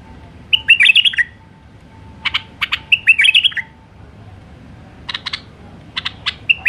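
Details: Wild White-eared bulbul, Alwazi style, repeating its lively song: two rich warbled phrases interspersed with sharp clicky notes in short bursts, then a brief whistle at the end. Nearly continuous calling.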